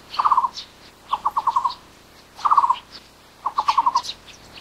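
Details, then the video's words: Taiwan barbet, a wild bird endemic to Taiwan of lowland and mid-elevation broadleaf forest: low hollow trilled notes, each burst of five or six rapid pulses, repeated about once a second, with faint higher background birdsong. "五色鳥(台灣擬啄木)/Taiwan Barbet"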